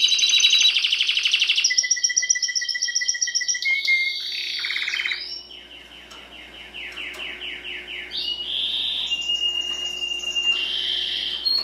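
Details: Timbrado canary song for training birds: loud rapid rolling trill, then a steady lower whistled note, followed by softer cascading sweeps and a final high warbling roll; low background hum throughout.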